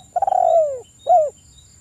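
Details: Spotted dove from the wild, used as a calling lure: a rolling, burred coo sliding downward, followed by one short clean coo, over a thin constant high tone and soft low background noise.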